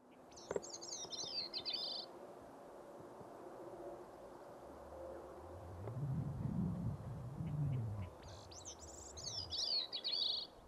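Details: Bicknell's Thrushes on a mountaintop in New Hampshire's White Mountains, four or five around: two high, thin, wiry, fluty, jumbled song phrases about eight seconds apart, with a low rumble of wind between.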